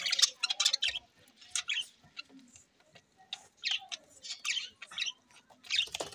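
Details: Budgies of selectively bred rainbow colours, October 9, 2023, producing clustered high twittering and buzzy chirps in separate bursts of about a second, with quiet stretches between groups.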